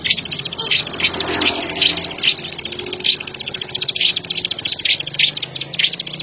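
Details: A plain prinia, found in paddies and corn and sugarcane fields, keeps up a fast metallic ticking, steady and high, with a brief soft murmur of background noise near the start.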